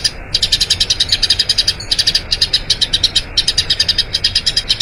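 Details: Long rolling tree sparrow song for training other birds: bursts of rapid, high chirping separated by two short pauses, each burst a quick, even string of bright notes.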